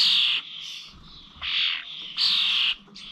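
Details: Starlings at bird feeders in Corby old village on 21 November: loud, harsh squawks lasting about half a second, three strong bursts separated by quieter grating notes.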